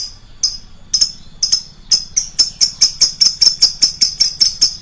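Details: Lovebird lure recording with loud, shrill voice: sharp high chirps, sparse at first, then quickening to a steady series about every quarter second.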